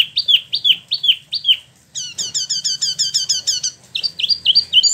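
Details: Caged spot-throated babbler from mainland China and Vietnam, kept in Bandung, West Java, Indonesia, singing loud clear whistled notes that drop in pitch, then a fast rattling run of high stacked notes, then renewed rising whistles.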